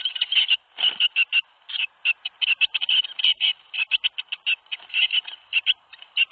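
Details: At a nest box in Théding, 21 May 2019, tits call as seven young fledge. Rapid bursts of rasping, buzzy notes come in quick clusters with brief gaps, loud and close throughout.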